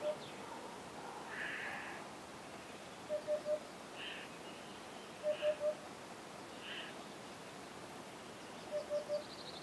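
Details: Eurasian hoopoe giving its mating call: soft, low hollow triplets, 'oop-oop-oop', every two to three seconds, while other birds chirp higher in the background.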